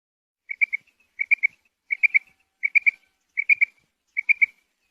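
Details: Female quail (batair, bedana) calling: clear whistled notes in tight groups of three, each triplet repeated about every 0.7 seconds, six phrases in a row against a silent background.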